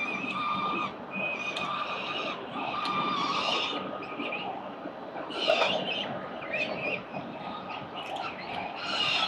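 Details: Four peregrine falcon chicks calling during a morning feeding at a city building nest in Victoria, 4 November 2021: repeated harsh, short-to-long screeches in bursts every second or two, with a steady low drone behind.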